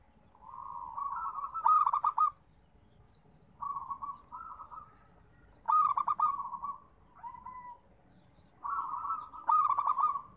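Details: Local zebra dove singing, its coos pitched around one kilohertz: soft trilled coos alternate with loud stuttered, bubbling phrases, four phrase groups at roughly two-to-three-second intervals, with a faint low rumble beneath.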